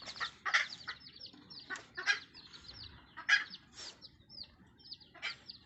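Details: Red junglefowl hen in the wild calling her young: irregular broad clucks every second or so, some louder, interleaved with high, arched chick peeps over a soft rustling background.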